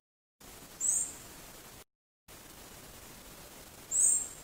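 A thrush gives two thin, very high 'seep' calls about three seconds apart, each brief and wavering, over a faint steady background hiss.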